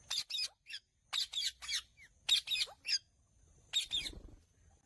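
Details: Indian ringneck parakeet calling with loud, harsh squawks in short clusters of two to three notes, separated by brief pauses, with a faint whistled note between groups.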